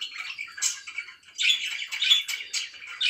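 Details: Pet budgerigar chirping in the morning: scratchy warbled notes, a brief lull, then louder bursts of buzzy chirps and thin whistled squeaks.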